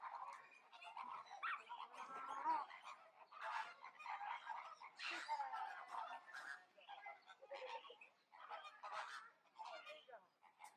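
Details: A male Black-casqued Hornbill gives harsh, nasal honking and braying notes in uneven bursts, roughly one a second, over a steady background of other calling.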